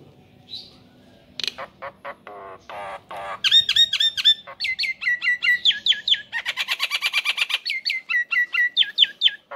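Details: Male Nias hill myna calling to a female, a loud series of harsh squawks and ringing metallic notes, rapid repeated bursts with harmonics, growing denser toward the end.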